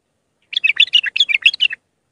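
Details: Iraqi bulbul, raw Mandalawi singing style, performing to teach young bulbuls; one fast, continuous chattering phrase of about a dozen bubbly, alternating high and low notes, clean with no other sounds.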